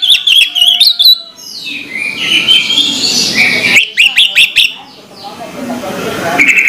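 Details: Morning song of an orange-headed thrush: quick clustered chirps, then a long warbled passage of mixed whistles and twittering notes, ending in a bright buzzy phrase.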